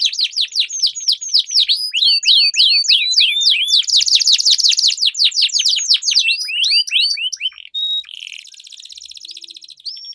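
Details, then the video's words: Long rolling canary song from duelling birds, a lure for silent canaries and tutoring for competition birds; rapid high sweeping notes in tight series, a loud buzzy burst, then softer fast trills and a short whistle. "Duel Burung Kenari Suara Merdu Ngerol Panjang || Pancingan Ampuh Kenari Macet Gacor Ngerol Panjang"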